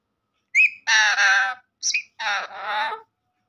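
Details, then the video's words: Pet parrot talking, saying "sitaram": short high squeaky note, then two harmonic-rich voice-like syllables, another brief squeak and two more drawn-out syllables, clean and quiet background. "Parrot saying sitaram talking parrot"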